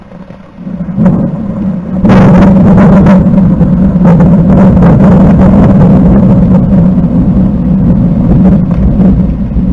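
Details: A loud, steady engine drone with a deep hum, rising sharply after the first two seconds, and no animal voice.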